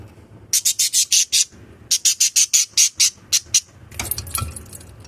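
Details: Pet lovebirds give quick runs of shrill, harsh chirps, several per second.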